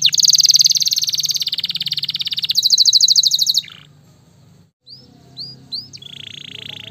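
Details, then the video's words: Gloster canary fighter bird: a long, loud, dense buzzy trill with a rising tone shift, then near silence and a few sharp rising whistles with a softer trill. "KENARI GLOSTER GACOR SPEED RAPAT, kenari fighter langsung nyautt ngamuk gacor"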